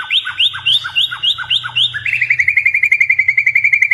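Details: Pet white-rumped shama, blorok type, in full song: a series of rising whistled upslurs about four per second, then a rapid even run of bright repeated notes, with a faint low hum behind it.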